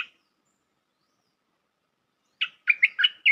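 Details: Bulbul lure call for trapping: after a long silence, a quick run of four or five chirpy, gurgling notes rises into a lively bubbling phrase at the end.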